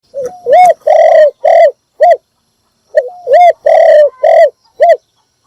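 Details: Spotted dove giving a morning call used as a decoy to lure other birds: two loud phrases, each a short rising lead note followed by four rich, hollow coos, the third coo drawn out, with a pause between phrases.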